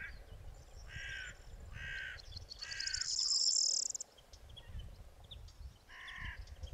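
Greater flamingo giving harsh, nasal, goose-like honks, three in quick succession about a second apart and then one more, with a brief hissy rush in between.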